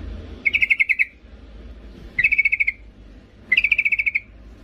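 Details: Three evenly spaced bursts, each a quick series of about eight sharp, high pulsed notes, from a female yellow-vented bulbul calling the male. Faint low rumble underneath.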